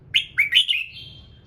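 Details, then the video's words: Red-whiskered bulbul singing in the morning to encourage other birds: a quick run of three or four bright chirping whistles ending in a long, level, fading whistle. "Chào Mào Hót Sáng Nhiều Âm Hay | KÍCH CHIM HÓT THEO LIỀN"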